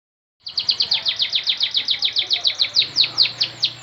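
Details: Canary song played as a lure to get a lazy canary singing; a steady series of sharp, downward-sweeping whistled notes repeated about five times a second, with faint low hum beneath.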